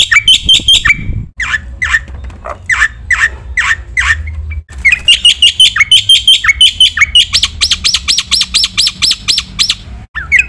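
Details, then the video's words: Training masteran of a lively Black-winged myna with full fill-ins: harsh downslurred squawks, then a long run of fast, bright, ringing whistled notes, interrupted by two abrupt cuts; faint low hum. "masteran jalak putih gacor full isian sekali dengar semua burung jalak terpancing emosi"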